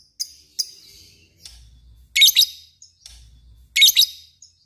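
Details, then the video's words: Lovebird described as a fighter bird, giving short bursts of harsh, buzzy chirps in twos and threes separated by quiet gaps, with faint low hum in the background. "Ngekek panjang LOVEBIRD"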